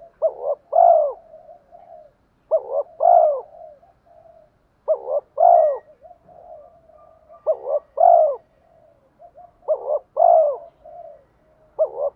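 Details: Decoy spotted dove calling to attract and provoke rival wild males, repeating a cooing phrase about every two and a half seconds, five phrases in all, each two strong coos with softer trailing notes.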